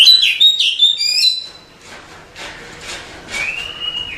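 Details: Oriental magpie-robin masteran song, used to tutor caged birds: bright whistled notes in quick succession for over a second, a quiet gap with faint sounds, then one long, slightly rising clear whistle and a sharp note at the end.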